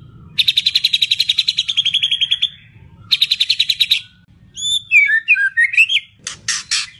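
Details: White-rumped shama in full 'isian' song stuffed with mimicked sounds: a long rapid buzzy trill of even pulses, a second shorter trill burst, then sliding whistled notes and sharp broadband chips, over a low steady hum.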